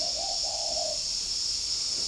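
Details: Caged spotted dove at Ba Vì, Hanoi, Vietnam, near forest, answering a distant wild dove: a brief run of soft, low, hollow coos, then quiet, under a constant shrill insect drone.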